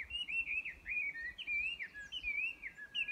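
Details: Chinese hwamei at Yudanaka Onsen, Yamanouchi, Nagano, Japan, recorded May 12, 2020, sings a continuous run of loud, rich whistles that slur up and down in looping phrases, with faint low rumble beneath.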